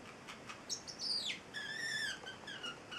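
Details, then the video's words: Male Celestial parrotlet, eight weeks old, kept indoors as a pet, making squeaky sliding whistles and a drawn-out warbled note, softer than its usual chirping. "Valentino, the Singing Parrotlet"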